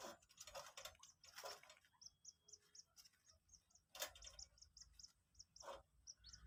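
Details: Two-day-old common moorhen chick being taught to eat feed pellets: thin, very high peeps, three or four a second, steady and even, with a few loud tapping and handling noises.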